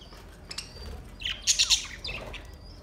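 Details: Budgerigars, recorded August 4, 2023: a short burst of high, sharp chirps, three quick bright notes in a row, then a few softer warbled squeaks over faint background hiss.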